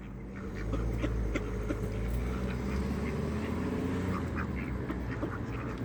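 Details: Hungry village ducks crowding in for feed on a cold evening at a pond in Flintshire, North Wales; many overlapping quacks, rapid and irregular, with a low rumbling background throughout.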